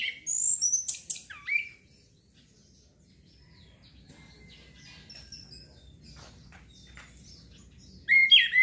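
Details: Orange-headed thrush song phrases for stimulating breeding urge: a couple of seconds of high whistled and sliding notes, a long quiet gap with faint thin tones, then a loud, sharp burst at the end.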